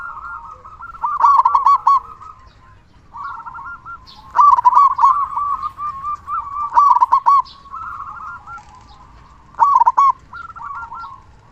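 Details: A loud, constantly singing local zebra dove, its song used to make slow or quiet doves start singing. Repeated bursts of bubbling, rolled coo notes, some overlapping into a continuous warble, with sharp clicky accents in the loudest phrases.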